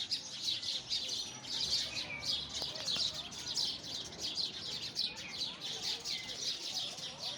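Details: Continuous busy chattering of sparrows: rapid, high, twittering chirps layered over one another without a break.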